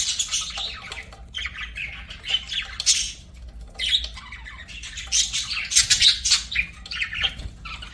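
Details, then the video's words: Budgies kept as pets chattering and chirping, a continuous stream of rapid scratchy warbles and squawky notes, with louder bursts near three and six seconds, several voices mixed together. "BUDGIES SINGING & CHIRPING"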